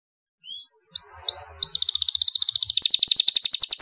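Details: Domestic canary in loud song, meant to train and stimulate young canaries: scattered thin whistles at the start, then a dense, accelerating buzzy trill of high repeated notes building in volume.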